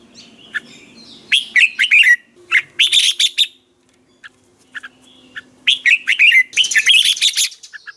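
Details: Morning training song of a caged red-whiskered bulbul kept to stir other birds: dense runs of bright, rolling chirps and harsher high bursts, a brief silence, then another lively phrase.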